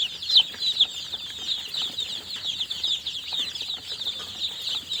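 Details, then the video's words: Newly hatched chickens give a steady wash of high, thin peeps, with a few louder chirps near the start standing out from the crowd. "Baby Chicks Chirping Sounds"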